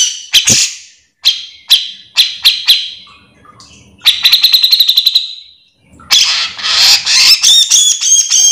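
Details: Grey-cheeked bulbul (cucak jenggot) song meant to train or attract others of its kind: a series of sharp, harsh notes about half a second apart, a quick buzzy rattle, then shrill squealing chatter.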